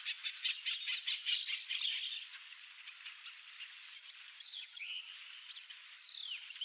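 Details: A wild Yellow-rumped Marshbird (Pseudoleistes guirahuro) in Brazil gives a burst of harsh, rapid chattering notes, then a few slurred, descending whistles, over a steady high-pitched insect drone.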